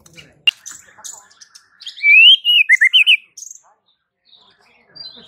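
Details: White-rumped shama song: scattered short chips, then a loud clear whistled phrase with sliding, warbling notes in quick succession, fading into quiet.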